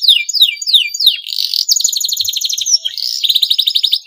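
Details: Breeding male canary calling out to spur other canaries to sing; opens with a series of sharp descending whistles, then dense rapid trills and rattling rolls at high pitch.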